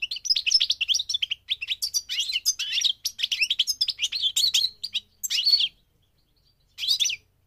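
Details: Song of a goldfinch on migration: a fast run of bright, liquid twitters and trills that breaks after about five seconds into two short separate phrases.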